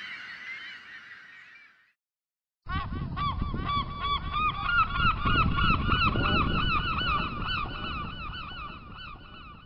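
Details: Gulls calling: after a brief fading call and a short gap, harsh harmonic yelping notes repeat rapidly, about three per second, over a steady low rumbling noise in the background.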